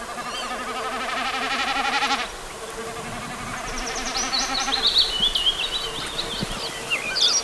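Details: Common snipe drumming in fast flight over marshes of the Narew and Biebrza valleys, far northeastern Poland: a fast, throbbing, bleating hum like a goat in the sky, about two seconds long, followed by high chirps from other birds.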